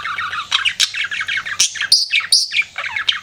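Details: Pet budgerigar flirting, giving a dense run of bright chirps and squeaky warbled notes, quick and jumbled, with sharp upward-flicking chips near the end.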